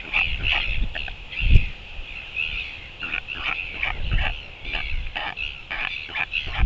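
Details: A male royal albatross gives short, harsh, grunting calls in quick irregular bursts, some nasal and bleating, at his South Plateau nest on 25 January 2023. He is greeting his mate in a display and meeting their young chick, over a low rumble of wind.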